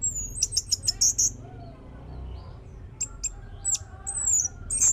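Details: Lure recording of an orange-headed thrush meant to make another bird sing: a fast run of very high, thin chips, a quiet pause, then scattered high whistled notes and sharp clicks.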